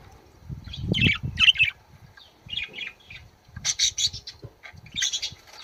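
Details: Budgerigar song played to encourage birds to mate: bursts of scratchy, squawking warble notes in short clusters with brief pauses, plus low thumps and handling noise.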